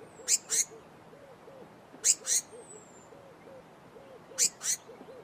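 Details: Blue-mantled crested flycatcher repeating paired harsh, buzzy high notes three times roughly two seconds apart, while a soft low hooting or cooing call repeats steadily in the background.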